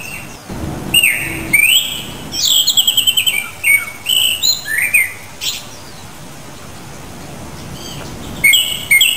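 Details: Varied, fluty phrases from a Japanese thrush. Upslurred whistles lead into a fast series of five or six rapid descending notes, then a few sharp slurred notes. After a quiet gap, two more whistled upward notes close the phrase.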